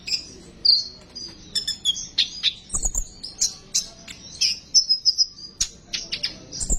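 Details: Lure recording of sunbird song, used to get sunbirds to sing: continuous high twittering with sharp chirps, short buzzy trills and quick whistled notes in rapid succession.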